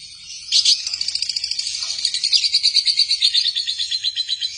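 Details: Lovebirds kept as pets give a continuous fast chatter of high, sharp chirps, pulsing many times per second with slight rises and falls in pitch, steady throughout.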